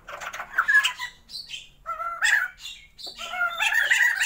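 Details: A captive Sumatran white-crested laughingthrush pair kept for breeding gives short chattering phrases and bright whistled, stepped notes in uneven bursts.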